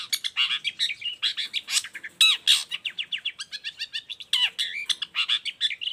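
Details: Long-tailed shrike song used as a model for other shrikes: a dense, continuous stream of fast chattering and warbling notes, with harsh bursts scattered through.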